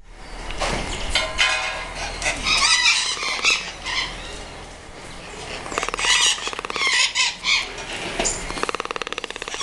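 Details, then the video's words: A toucan at a wildlife breeding facility in Paraná, Brazil, gives harsh, raspy, rattling squawks in uneven bursts, several within a few seconds, with a grating, croaky edge throughout. "Som do Tucano"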